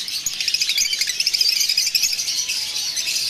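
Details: Mutation lovebirds kept as breeder pairs give dense, rapid high chirps and squeaky chatter. Many overlapping calls run without pause.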